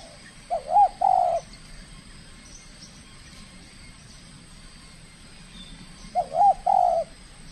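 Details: Spotted dove in its first cooing contest in the Riau Islands, Indonesia, a trained bird acting aggressively, gives two mellow coo phrases about five seconds apart, each a brief wavering note then a drawn-out hoot, with low rumbling noise between.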